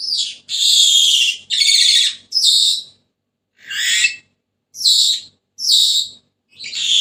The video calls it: تغريد ببغاء السنيغالي the sound of the parrot senegal